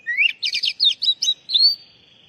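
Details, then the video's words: Kacer, or Oriental magpie-robin, lure call used on stressed, untrained birds that have stopped singing. A rising whistle leads into fast buzzy chattering notes and ends in a drawn-out high whistle. "panggilan kacer bahan stress macet bunyi"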